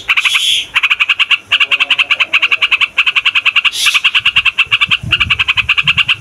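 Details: A yellow-vented bulbul (trucukan) rattles through a noisy rolling song used for trapping and tutoring. Quick staccato notes run in strings of about a second, with two breathy hiss-like bursts and faint low sounds underneath.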